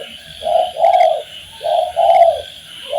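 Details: Spotted dove, tekukur, in a master recording meant to make kept birds sing: two mellow cooing phrases, each a short hoot followed by a longer, drawn-out coo, with a steady high-pitched buzzing backdrop.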